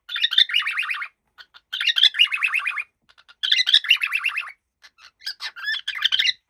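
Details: Happy cockatiel chattering: repeated phrases of fast, wavering squeaky notes, ending in looser scattered chirps.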